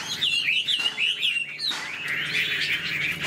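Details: Chinese hwamei in a cage, displaying with spread tail and wing movements. It sings clear, swooping whistled phrases, then shifts to a rougher, buzzier chatter of blurred notes.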